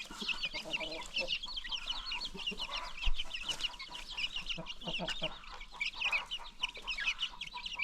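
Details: Free-range farm chickens with a brood of new chicks: high chirping peeps pour out continuously over low, repeated clucks from the hens.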